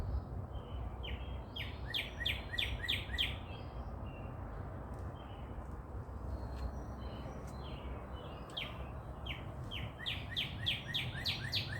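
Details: Birds chirping at sunrise in Dallas, Texas: two bursts of rapid descending chirps, one early and one late, separated by softer scattered high notes and clicks, over constant low background noise.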